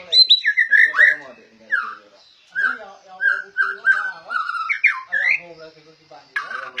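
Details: A white-rumped shama, kept and trained by its owner and called rare, delivers loud, varied whistled song: sliding mellow notes, quick upward flicks and harsher buzzy bursts in close succession. It sounds indoors.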